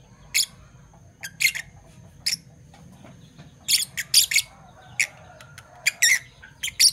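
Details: Two Fischer's lovebirds, parblue violet and parblue turquoise colour forms, chirping in the morning: short, harsh, broadband chirps in spaced bursts, some doubled or tripled, with quiet gaps and a faint low hum underneath.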